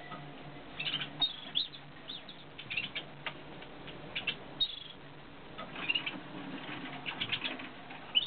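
Eurasian siskin chicks give thin, high squeaky chirps in quick irregular bursts, with soft rustling and fluttering between the calls.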